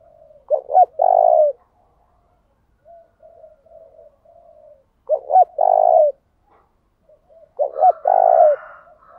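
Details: Spotted dove decoy singing to bring wild doves in fast and challenge them: three phrases of two quick notes and a long mellow coo, roughly every three seconds, with soft low cooing in the gaps.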